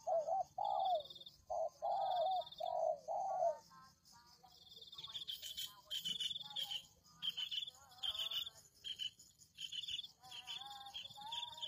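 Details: Spotted dove lure recording used to attract wild doves: three soft, low cooing phrases in the first few seconds, followed by a busy mix of high chirping birds and insect-like buzzing.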